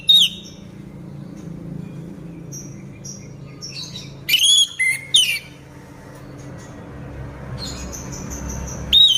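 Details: Moulting orange-headed thrush kept in a cage, vocal despite the moult: sparse, brief whistled phrases. A high upslurred note opens and closes the recording, and two sharp bursts come near the middle, over a low background hum.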